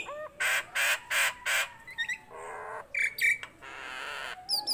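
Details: Lively tame Nias hill myna giving four harsh, broad rasping blasts in quick succession, followed by short whistled chirps, a low hoarse note and a buzzy squawk ending in a high whistle.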